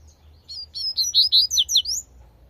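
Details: A free-living Double-collared seedeater gives one tui tui phrase: about eight quick, sweet whistled notes strung together, slurring up and down and climbing toward the end, over a soft low rumble.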